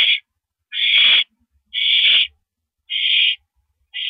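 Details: Nighttime owl at the nest, April 5, 2012, 10:30 PM, while a mouse is brought in. Long hoarse hisses, roughly half-second each, spaced about one second apart.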